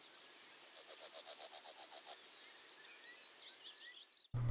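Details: A yellowhammer sings its ascending song, a rapid string of about a dozen thin, high notes ending in one long, higher drawn-out note, likened to "a little bit of bread and no cheese". A dull thump follows.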